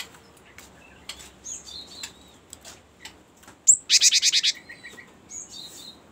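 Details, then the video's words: Cinereous tit (gelatik batu) giving a long roll (ngerol panjang), used to lure birds and to tutor songbirds: a fast, buzzy rattle of about eight high notes lasting under a second, surrounded by scattered faint high chirps. "ngerol panjang sangat bagus untuk pancingan gelatik batu dan masteran"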